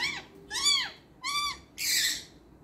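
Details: Talking green parrot mimicking speech in Hindi: three short arched voice-like syllables with rich harmonics, followed by a harsher, noisier burst.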